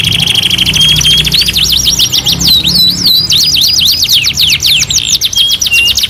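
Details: Singing canary on a master training recording: an opening rapid trill with a thin held whistle, then a long series of looping, swooping whistled notes repeated several times a second, ending in a short steady tone.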